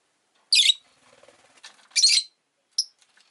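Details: Rosy-faced lovebird kept at home, uttering two loud, harsh, shrill squawks a second or so apart, then one short high chirp, with soft rustling in between.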